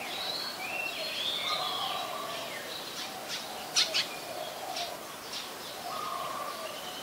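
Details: Common myna in Ubon Ratchathani, Thailand, on 28 January 2021, with a mix of fluty whistles, buzzy notes and a few sharp clicking bursts, set against a steady outdoor hiss and other faint birds.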